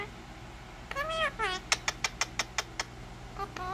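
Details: Talking Indian ringneck parakeet: two voice-like arched syllables, then a steady series of about eight crisp clicks, ending with a softer word-like sound, indoors.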